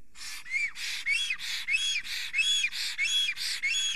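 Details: Male black stork trembling with excitement at his nest in Estonia, morning of 30 April 2020, as a female comes near. A rapid run of loud wheezy hisses, each carrying a rising-falling whistle, about one and a half per second.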